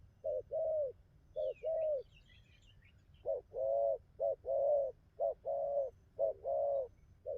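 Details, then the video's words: Wild-caught spotted dove newly singing a good song pattern, giving paired low coos, a short note then a longer falling one, repeated about once a second with a pause midway; faint high chirps of other birds behind. "Thổ tơ bài hay gù tốt"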